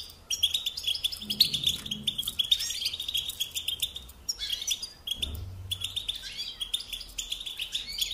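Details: Pet European goldfinch singing long jangling twitter sequences of quick chirps and buzzy slurs, with one short break midway before the chatter resumes.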